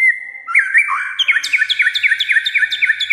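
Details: White-rumped shama in breeding condition, said to sing almost all day in many voices: a long whistle opens, then a rapid run of bright, sliding notes repeated about twice a second, with high sharp accents.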